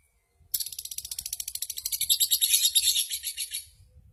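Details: Lovebird from a subdistrict-level contest duel, singing vigorously: a single continuous high trill of rapid pulsed notes swelling in loudness over about three seconds, then fading, over a faint low rumble.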